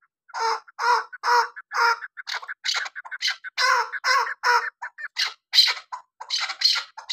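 A chukar gives harsh, clucking chuk notes about twice a second. The series grows faster and more uneven toward the end. No other sounds stand out.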